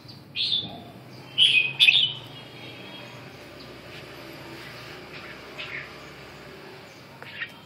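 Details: Red-whiskered bulbul giving a few short, bright warbled notes in quick succession, then mostly quiet background with faint distant chirps.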